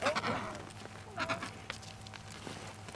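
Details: Emperor penguin on the sea ice between Cape Evans and Cape Royds, Antarctica, gives two brief, harmonic, bleating calls about a second apart, wavering and nasal, over a low steady hum with faint background chatter and laughter.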